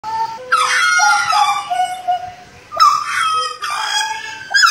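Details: Butcherbird from Jayapura in lively, full song: loud, harsh, harmonic-rich notes with nasal slides, several phrases separated by short pauses, with a low steady tone near the start.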